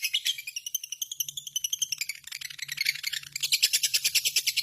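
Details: Chattering 'ngekek' call of a pet lovebird: a rapid series of buzzy, scratchy notes about three per second, shifting in pitch midway, with a faint low hum underneath.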